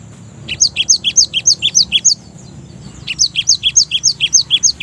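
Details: Java sparrow singing for a lure recording meant to set other Java sparrows singing, two brisk runs of high, clipped two-tone chirps separated by a one-second pause, steady background hum.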